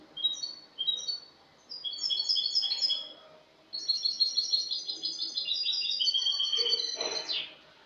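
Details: A Spanish goldfinch sings cante limpio, a clean song style, recorded 22 August 2018. Quick stuttering notes open, then long continuous twittering and trilling phrases run on, high and bright, ending abruptly.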